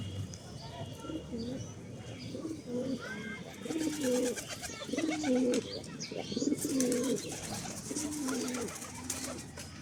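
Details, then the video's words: Domestic pigeons on a farm, one female with two males vying for her: a rolling, wavering coo repeated roughly every second, steady in pitch and rhythm, with faint higher chirps of other birds and a few clicks and rustles. "একটা মাদি, দুইটা নর কবুতর! দেখুন কে জিতবে মাদির মন?"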